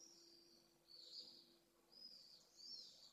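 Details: Pallid swifts around a nest in Jerez de la Frontera, Spain, on a remote nest camera; faint, high, buzzy screams repeated roughly every second, over a steady low hum.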